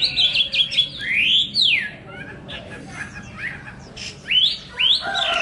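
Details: Hwamei delivering sweeping whistled notes, loud upslurs and downslurs separated by short pauses, mixed with brief high chips.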